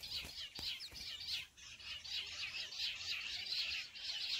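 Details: Jungle bush quail calling, with the sound used as a lure for trapping wild birds: a steady run of high, squeaky chattering notes in rapid bursts, a few faint clicks near the start.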